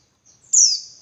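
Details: Female white-eye lure call meant to excite males: a thin, high whistle followed by a single loud, sharp chirp sweeping downward into a fading buzz.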